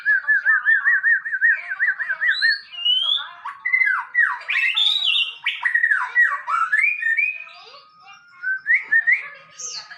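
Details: Male white-rumped shama singing loudly: a wavering warbled trill for two seconds, then a jumble of fast swooping whistles and chatters, fading to scattered rising notes.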